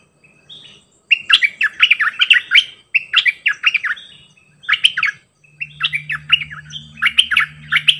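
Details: Bulbul decoy bird singing many songs: several bursts of rich, rolling whistled phrases with short pauses between. A low, steady hum is heard in the second half.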